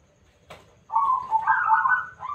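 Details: Local zebra dove with a loud voice, singing as a lure to draw other doves into song; after a short click, one rolling, trilled coo phrase that rises slightly and holds steady for about a second and a half.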